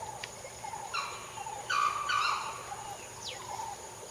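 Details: Peafowl roaming freely in a wildlife sanctuary give a few short, harsh, nasal honks in quick bursts, over a steady high insect hiss with faint chirps from other birds.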